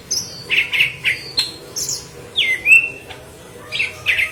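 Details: Yellow-headed leafbird singing intensely for green leafbird tutoring; rich burry chirps in short bursts, then a long descending whistled slur, followed by more buzzy high notes.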